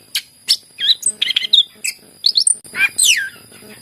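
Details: Energetic greater green leafbird singing, meant to prompt birds that rarely sing: sharp clicks and chirps, rapid twittering notes, then a long, loud descending whistled slur near the end, with a thin constant high hum behind.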